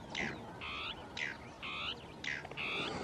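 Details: Dusky tapaculo (Scytalopus fuscus) giving its territorial song among scrub, two birds interacting; rough churring harmonic notes alternate in two shapes, roughly one per second, over a steady hiss.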